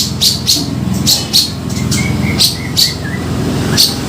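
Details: Lure call of grey-cheeked bulbul for trapping: sharp high chips repeated at irregular intervals with short whistled slurs between, over constant low hum and faint traffic-like noise.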